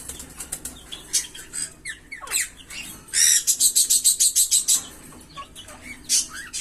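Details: Green Fischer's lovebird pair singing: soft twitters and a descending sweep, then a fast run of about fifteen loud, sharp, high chirps. The run is followed by scattered single notes.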